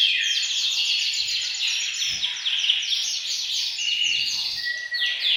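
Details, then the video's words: Canaries singing as a group in a bird room to stimulate males and prepare females for breeding; rapid high trills of slurred notes overlap continuously, with a few long pure whistled tones near the end. "أقوى تحفيز لتغريد وتجهيز الكناري، تغريد جماعي في غرفة الطيور سيجعل طيورك تغرد مباشرة"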